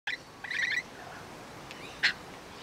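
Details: Rainbow lorikeets in an Australian backyard: a short harsh screech, then a buzzy, rasping chatter lasting about a third of a second, and after a pause one more sharp shriek, over quiet background hiss.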